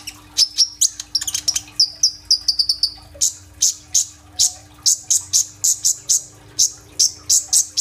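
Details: Sunbird called kolibri ninja, singing vigorously as a lure for birds, phone recording: a quick trill of high whistled notes, then steady sharp chirps repeated about twice a second.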